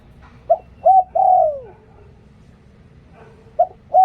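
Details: Decoy spotted dove singing Liu Tan: a full phrase of two short coos and a long drooping coo, then after a two-second pause the next phrase begins with two quick notes.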